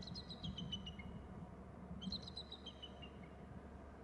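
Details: Eagle calling on landing on an upper right branch: two bursts of rapid, high, thin notes that step downward, separated by a pause, set against constant low-pitched background noise.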